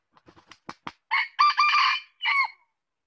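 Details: Red junglefowl crowing: a run of short soft clucks speeds up, then a loud harsh crow in several parts ends in a clipped final note, with no other sounds.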